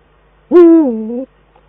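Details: Single loud rasping call from a Eurasian eagle-owl pair dueting at an Eifel nest on 22 December 2012, held level, then dropping and flattening before stopping abruptly.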